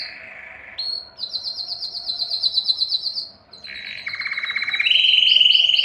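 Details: Male canary singing to stimulate females for breeding: rapid trills that jump between pitch levels, a low buzzy rolling section, then a bright high trill to close.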